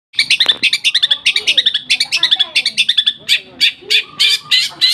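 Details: Lovebird singing in the style called nembak gereja sambung: a fast, uneven run of sharp, high chirps in linked bursts, about ninety a minute, with brief shrill buzzy notes near the end. Faint low background murmur.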